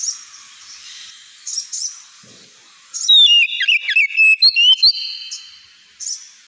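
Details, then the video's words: Oriental magpie-robin (kacer) giving ngemplong song, recorded as training audio for pet birds: quiet faint notes, then about two seconds of loud, rapid whistled slurs and crisp clicks, ending in softer distant calls. "KACER NGEMPLONG"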